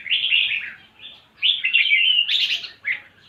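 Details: Red-whiskered bulbul in lively voice: loud, rolling warbled phrases, then a sharper higher note and a brief final chirp.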